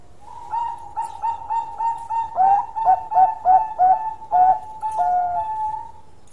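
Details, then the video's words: Zebra dove, a Bangkok-type perkutut, singing a long, prolonged song: a steady low cooing tone with rhythmic pulsed notes repeated about one and a half times per second, clear and loud, with faint background noise. "Bunyi Suara Panjang Perkutut Bangkok Gacor"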